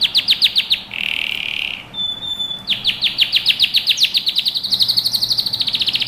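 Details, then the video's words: Canary in training song gives quick repeated chips, a short buzzy trill, a thin flat whistle, then a rising series of fast rolling notes, about four per second, ending in a rapid high trill. "beautiful birds singing - canary training song"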